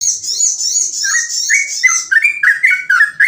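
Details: Yellow-vented bulbul singing rapidly in ropel style, chatty and easy to imitate: bubbly, slurred whistled notes repeated about three per second, under a constant high hissing chatter.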